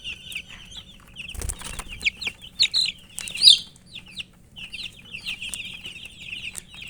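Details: Thirsty baby chickens (murgi chicks) wanting drinking water give clusters of high, quick peeps separated by brief pauses, with a few soft thumps and rustles in between.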